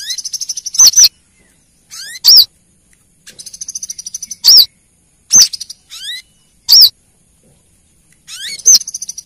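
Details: Female brown-throated sunbird calling the male, used as a lure sound: fast dry trills of rapid high ticks alternate with loud, sharp, clipped chip notes and thin rising whistled slurs, in a quiet setting.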